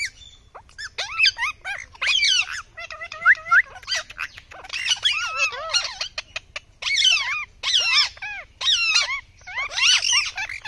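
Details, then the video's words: Indian ringneck (rose-ringed parakeet) calling in long repeated bouts of loud, harsh, warbling screeches and squawks, each bout about half a second long with short silences between, continuing steadily throughout. "Tota Ki Awaaz"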